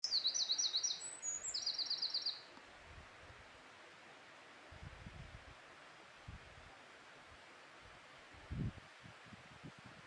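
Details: A wild Eurasian wren (Troglodytes troglodytes) bursts into about two seconds of loud, very high, rapid trilling song with sharp zigzag notes, then falls silent over a soft background hiss and a few low thumps.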